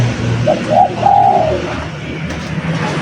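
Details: Spotted dove in lively song for luring: a soft short coo, a second coo, then a long level crooo fading down, over a steady low-pitched hum.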